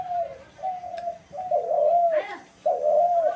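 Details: Dove calling, recorded March 28, 2024: a run of soft, low hooting coos, each drawn out and slightly falling at the end, given in quick succession with short gaps between them, in a quiet background.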